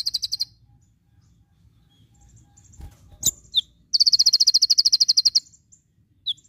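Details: Javan white-eye, known locally as konin, in a tutor recording full of tembakan bursts: a rapid buzzy high trill of even pulses lasting about one and a half seconds, framed by short sharp chips and faint low background hum.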